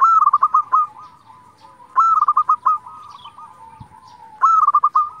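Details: Local zebra dove singing repeatedly to provoke rival doves: three loud phrases about every two seconds, each a high coo followed by a fast rattling run of short notes, with softer coos between.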